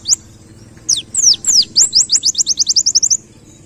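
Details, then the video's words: High-pitched white-eye song in 'ngalas' style, canary-like: a few steep downslurred whistles, then a rapid accelerating series of about a dozen short sharp notes, over a low background hum. "Masteran Pleci Ngalas Nembak Kenarian"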